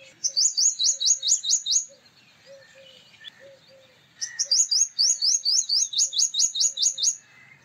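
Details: A male purple sunbird delivers two rapid bursts of high, sharp, repeated notes, about eight to ten per burst, with soft low cooing from another bird between.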